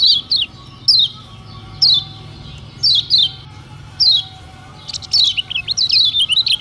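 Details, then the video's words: Provoking song of a lemon-bellied white-eye, used to draw lazy singers out: thin high downslurred chirps about once a second, then a fast tumbling burst of twittering notes at the end. "Tembakan Kecial Kuning Paling Dicari Bikin Kecial Lain Emosi Dan Terpancing Joss"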